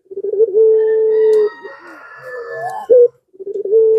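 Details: Lure call of a pelung Barbary dove meant to set other doves cooing: a stuttering start into a long flat coo, a quieter wavering stretch, an abrupt rising note, then a fresh stuttered coo.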